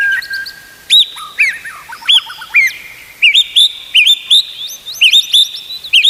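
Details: White-rumped shama song used as a master recording to train other shamas to sing: clear whistled notes, some sliding upward, mixed with short sharp chips and phrases repeated roughly every half second, loud and close.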